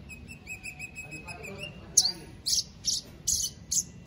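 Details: White-rumped shama kept for song contests in Palu, Central Sulawesi, Indonesia. A soft stuttering series of mid-pitched notes, then four or five loud harsh buzzy bursts spaced about half a second apart.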